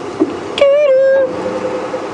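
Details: A Wahlberg's eagle at Djuma Game Reserve on an afternoon drive on 1 March 2016, which squirrels and birds were alarm-calling at, gives a single drawn-out whistle held level for just over half a second over faint background hiss.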